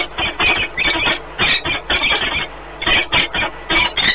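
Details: Pair of peregrine falcons bonding during a long meeting at their nest in Płock, Poland, 1 March 2019; grating, squealing calls in uneven bursts, a short lull near the middle, then renewed rapid notes.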